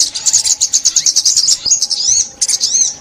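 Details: 2021 recording of an olive-backed sunbird used in bird trapping: evenly spaced, rapid, piercing chips about eight per second, then arched whistled slurs after a brief break.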